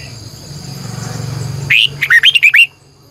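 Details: Morning decoy red-whiskered bulbul, 2020, luring wild birds with a long twisting double-voiced song. A low hum at first, then one energetic phrase of about seven clear, swooping whistles delivered in under a second.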